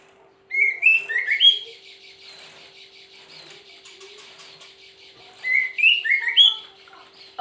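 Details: A female White-rumped Shama (murai batu), captive-bred in Garut, West Java, Indonesia, gives a monotone song: two short bursts of clear, rising and falling whistles about four seconds apart, over a steady high buzz and faint low hum.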